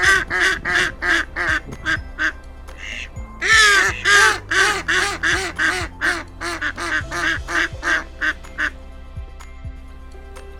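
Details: Mallard from the Baie de Somme, Picardy: a rapid series of harsh, nasal quacks, roughly three per second, some louder bursts midway, over steady low background music tones.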